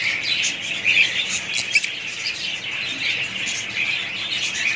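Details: A budgerigar family flock mixes steady soft warbling with a few short, bright whistled chirps that rise briefly above the constant high chatter.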